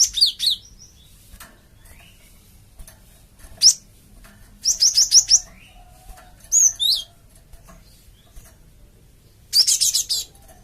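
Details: Java sparrow lure call used to provoke answers from a flock: clusters of rapid, sharp, high chirps and slurred whistles, some groups of four or five notes, broken by short quiet gaps.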